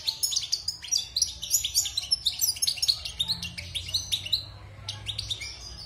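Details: Wild goldfinch kept in a cage six months and fresh from its moult, singing a busy stream of high, tinkling, chattering notes in quick succession with a brief lull near the end.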